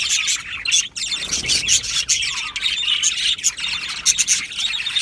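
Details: Colony of Australian budgies in an aviary, chattering continuously with dense high scratchy chirps and warbles, brief louder squawks breaking through around the middle and end.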